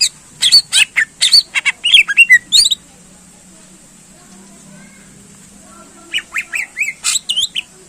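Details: Greater green leafbird, vigorous song to excite competition birds: a rapid string of harsh chirps and slurred whistles for nearly three seconds, a silent gap, then another lively burst of rising whistled notes.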